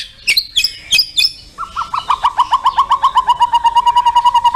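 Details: White-rumped shama, caged songbird, opening with a few high sharp chirps, then a rapid even series of short mellow whistled notes, about five a second, falling slightly in pitch as it runs on.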